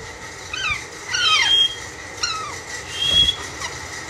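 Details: A young pet great-billed parrot, said to be talking and saying "Allah Allah", indoors. It gives several squeaky, whistled notes that slide downward, with a thin steady whistle in between. Faint low thumps and room noise sit underneath.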